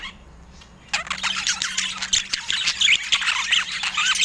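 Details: Budgerigars in natural Scandinavian light: a near-quiet first second, then sudden loud, dense squawking and chirping chatter with a faint steady low hum beneath.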